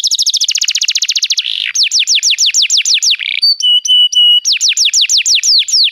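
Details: Canary song played to make a canary sing: a fast rolling trill, then slower repeated falling whistles, a few flat sustained tones, and more sweeping notes.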